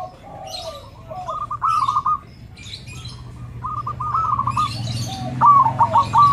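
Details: Zebra doves (perkutut) answering one another, used to coax quiet birds into song: overlapping trilled coo phrases, with a lower sliding coo early on and crisp clicks above, building louder toward the end.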